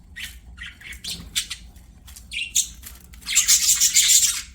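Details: Budgerigars singing while playing: busy warbling chatter of varied short chirps and squeaks, building into a dense, loud buzzy trill at the end.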